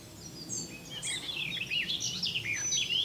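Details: Common nightingale singing; a rapid jumble of varied slurred whistles and chirps, rising and falling notes run together, with steady background hiss.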